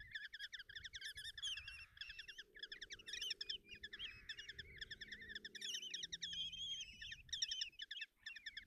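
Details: Common kestrel chicks in a Hungarian nest box, Tiszalök, June 30, 2024, begging while the mother feeds them: continuous fast chittering trills overlaid by thin rising and falling squealing whines.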